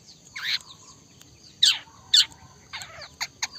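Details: Trotol gacor song of a cendet, the Long-tailed Shrike: raspy, scratchy bursts at uneven intervals, two louder sharp notes in the middle, then a few shorter chattering notes at the end, with little background noise.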